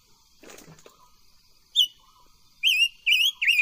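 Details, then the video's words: Silver-eared mesia practising its song: after a brief rustling thump, a single sharp note rings out, then a run of three loud wavy whistles. "Tiếng chim ngũ sắc hót hay luyện giọng ngũ sắc"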